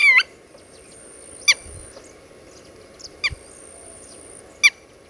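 Red-wattled lapwing giving sharp, shrill single notes, roughly every one and a half seconds, over a faint steady high hiss.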